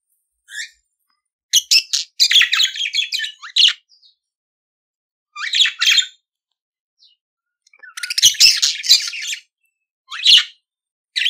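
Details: Chattering budgerigar song coming in scattered bursts of scratchy, buzzy chirps, with longer silent gaps between phrases.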